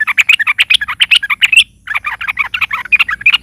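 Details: Yellow-vented bulbul, called trucukan locally, singing loudly to get other birds going: a dense, fast stream of varied chirps and warbled notes, broken by one brief pause midway.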